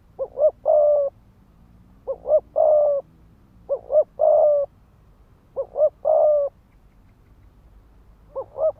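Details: Ground-decoy spotted dove delivering quick 'thúc gù' coos to trigger fighting in males: about five phrases, each a pair of short rising notes then a held, rough coo, spaced about two seconds apart.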